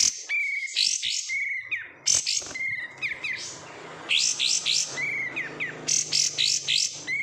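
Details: Captive oriental white-eye raised from bulk market stock giving a varied, lively song: clear level and upslurred whistles mixed with bursts of high, scratchy twitters in quick succession.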